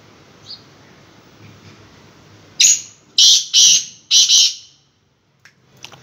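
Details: A captive Black francolin, currently in moult, gives its harsh, grating call of four loud, raspy notes in quick succession, with quiet background hiss before and after.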